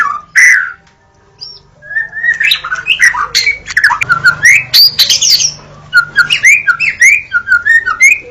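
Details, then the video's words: White-rumped shama in Indonesia: a loud opening whistle, a pause, then a quickening series of varied chirps, whistles and short trills. "jaminan bunyi pkai suara murai batu"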